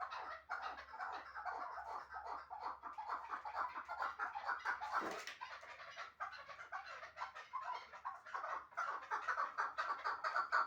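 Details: Hunting chukar partridge from Shahritus, Tajikistan, calling in a steady stream of clipped, repeated clucks about twice a second, with a brief harsh noise near the middle and the notes growing louder toward the end.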